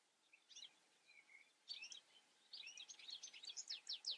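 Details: European goldfinch twittering song: a few scattered chirps, then from midway a rapid, rising sequence of sharp liquid notes growing louder toward the close.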